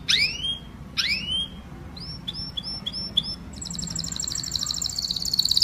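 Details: Canary singing to call the flock: two sharp descending sweeps, then a series of short high clipped notes, switching into a fast buzzy high trill at the end.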